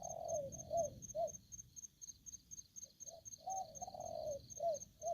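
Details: Aggressive decoy spotted dove cooing: deep, soft, mellow coos in quick irregular runs, some drawn out and others short, with a steady high rhythmic chirping of crickets throughout.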